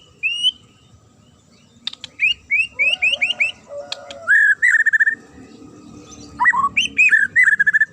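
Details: Sharp challenging song of a Magpie-robin, intended to make other birds answer: a lone rising whistle, then a lively series of repeated upslurred whistles, low fluty notes, fast chattering runs and warbled phrases to the end.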